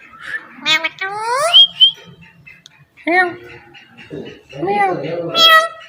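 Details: Pet ringneck parrot talking and imitating a cat's meow indoors; a drawn-out bending note with stacked harmonics, then clipped speech-like bursts and a final nasal, meow-like wail.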